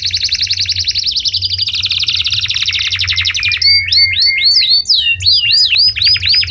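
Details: Canary singing a long, fast buzzy trill that slowly drops in pitch, then a series of looping upswept whistles repeated about three times a second; soft low hum throughout.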